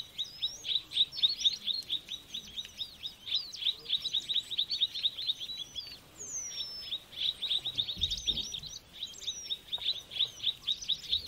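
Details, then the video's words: Mrs Gould's sunbird (Aethopyga gouldiae) gives rapid, high, thin twittering trills and tinkling notes in long runs, with quick upslurred whistles woven through; a faint thump near the end. "Mrs Gould's Sunbird Aethopyga gouldiae"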